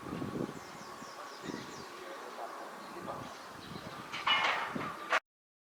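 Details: A large-billed crow calling on 26 April in a park visited for cherry-blossom viewing gives one loud, hoarse caw near the end, over a steady background hum and scattered low thumps.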